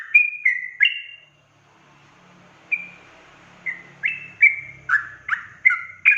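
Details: Sooty-headed bulbul in energetic 'ropel' song, used to rile other bulbuls: bright whistled notes, some level and some dropping, in loose bursts with a short pause, over faint low hum.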